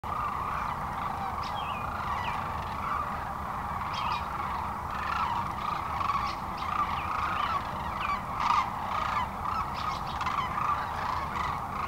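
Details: Thousands of sandhill cranes roosting on the North Platte River near North Platte, Nebraska, in the early morning of March 25, 2012, taking off to feed in farm fields; a steady massed chorus of rolling, overlapping calls forms a continuous din.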